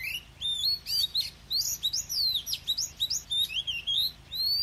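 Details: Oriental magpie-robin singing in the wild-type "forest voice" style with "kéo thuốc lào" phrasing: a fast, continuous run of clear whistled notes, sharp up- and down-slurs and chirps, with brief pauses between bursts. No other sounds stand out.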